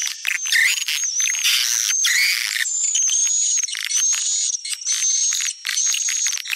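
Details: Swiftlet calling sound, popular in Sumatra, used to draw swiftlets: thick high chatter and ticking, then thin, steady, high whistled tones repeated about once a second over the ongoing twittering.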